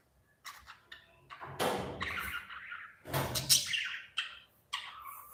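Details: Budgerigars in an aviary chirping and chattering in irregular bursts, with squawky broadband notes and thumping knocks between calls.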